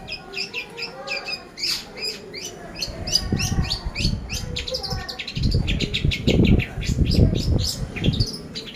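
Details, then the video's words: Lure recording of a long-tailed shrike, known as cendet: fast, irregular chattering of short sharp notes, about 85 a minute, over bursts of low rumbling background noise. "Pancingan Burung Cendet Pastol"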